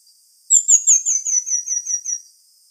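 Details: Song of the pin-tailed manakin, locally tangarazinho: a quick run of roughly ten very high, slurred down-sliding notes, evenly spaced and gradually softening, lasting under two seconds with nothing else audible.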